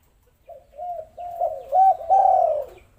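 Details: Spotted dove calling, a lure recording meant to make lazy doves start cooing: one drawn-out phrase of low, rounded coos rising in loudness and ending on a long sliding note.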